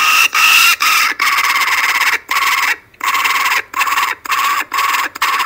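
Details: Group of very loud kookaburras on a webcam in Australia, evening of Monday 12/10/12 at 5:55 pm: continuous harsh, raspy cackling chopped into quick bursts, with a single short break midway.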